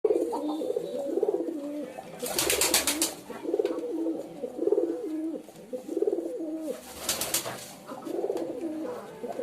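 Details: Pigeons cooing, many overlapping low throaty coos with a falling and rising pattern, repeated about once a second, with two bursts of loud wing-flapping clatter and faint room echo.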